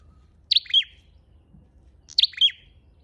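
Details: Red-headed flowerpecker lure call, heard twice: a piercing doubled chirp trailing into a short falling buzz, the pair separated by well over a second of quiet.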